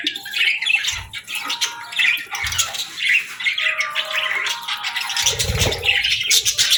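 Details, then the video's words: Budgerigar morning chirping: nonstop dense chatter of high squeaky and raspy notes, steady in loudness, with occasional low thuds. "Birds Chirping Sounds 🌅🐦 Budgie Morning Melodies for a Happy Start!"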